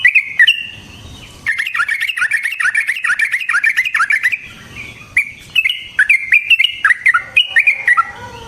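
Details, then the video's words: Yellow-vented bulbul in energetic rolling song, known locally as ropel, used as a lure to provoke other bulbuls into singing: rapid bursts of short, bubbly, mid-pitched notes, a brief pause, then bright, varied rising and falling phrases. "Suara Burung Trucukan GACOR ROPEL Panjang Ampuh Untuk PANCINGAN TRUCUK"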